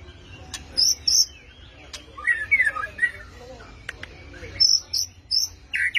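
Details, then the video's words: White-rumped shama giving scattered bright, high whistled notes in short pairs, interspersed with lower warbled phrases and a few sharp clicks, over steady low background noise. "BURUNG MURAI"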